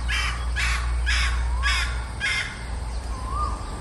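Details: Female red junglefowl kept as a decoy bird, calling: five harsh, noisy bursts about every half second, then a fainter rising whistle, over a constant low rumble.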